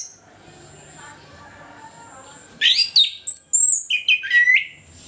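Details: An orange-headed thrush sings in the morning in ngeplong style, a lure to prompt lazy thrushes to sing: after a quiet start comes a quick string of varied whistled notes, including high slurred whistles and lower falling ones.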